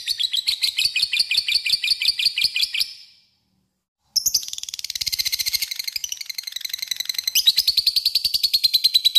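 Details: Lovebird ngekek, the long chattering song meant to provoke a rival: a quick run of shrill buzzy notes, a brief silence, then a denser, rougher chatter that carries on to the close.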